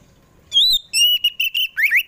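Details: Oriental magpie-robin (kacer poci) singing in the afternoon to lure captive birds to sing; a high arched whistle followed by steady piping notes and a rapid zigzag rising flourish.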